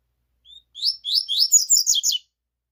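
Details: At 5:30 a.m. a double-collared seedeater delivers a short high song: a soft opening whistle followed by a fast string of sharp, buzzy twittered notes over roughly one and a half seconds, otherwise quiet.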